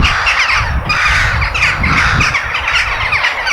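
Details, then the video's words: Crow heard outdoors in nature, giving harsh, repeated caws over a dense, busy chorus of other chirping birds, with low rumbling noise underneath throughout. "The Sound of Crow In Nature"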